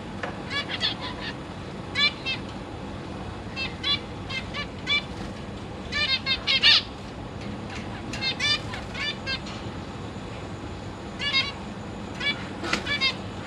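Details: Caged zebra finches with three juveniles and three new chicks that have just left the nest and are practising flight, 22 August 2023: frequent short nasal beeping calls at uneven intervals, sometimes in quick pairs, over a low steady hum.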